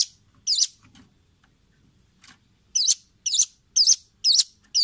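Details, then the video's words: Velvet-fronted nuthatch, a training recording for caged birds: sharp, very high chipping notes, first a single note, then a short run of five spaced roughly half a second apart over a quiet background. "Masteran Ampuh burung rambatan paruh merah/masteran audio rambatan jernih mudah di tiru"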